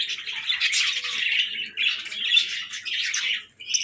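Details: Pet budgerigars in the morning, clear high warbling chirps in rapid overlapping phrases, rising and falling, with almost no background noise.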